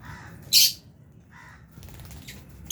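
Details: Albino and Fisher's lovebirds at food in an aviary with budgies: a loud, shrill, high squawk, then short nasal chirps and a final sharp call, with quiet gaps between.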